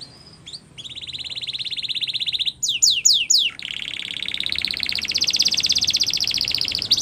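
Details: Canary training song: a long steady buzzy trill, three quick downswept whistles, then a loud, slightly rising pulsed roll that runs to the end over faint background noise.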